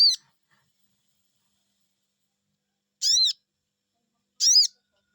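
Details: Sogon, or crimson sunbird, calling back to a lure with shrill arched 'cuiit' notes, three short bursts separated by long silences.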